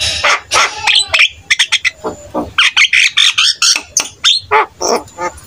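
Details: Jalak kebo (buffalo starling) singing actively to prompt other starlings; fast series of harsh chattering notes, roughly four per second, with scratchy squawks.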